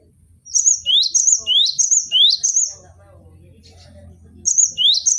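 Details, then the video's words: Cinereous tit (gelatik batu) song used for training cage birds. A long run of bright, quickly repeated whistled phrases mixes high flat notes with rising sweeps, followed by a pause and then a fresh burst. "MASTERAN GELATIK BATU BONGKAR ISIAN vol.01"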